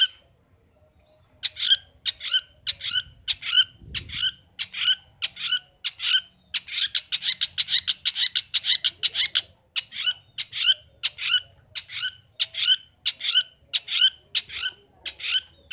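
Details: Long-tailed shrike kept as a pet, in full vigorous song: a long run of rapid, harsh chattering notes, steady at first, then a denser scratchy burst in the middle before the regular chatter resumes, with a brief low thump near the start.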